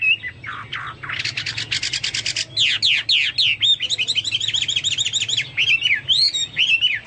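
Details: Chinese hwamei singing actively, its song likened to the cucak Papua or cucak mas. Buzzy upslurs give way to rapid, stuttering high notes, then a string of whistled, bouncing phrases.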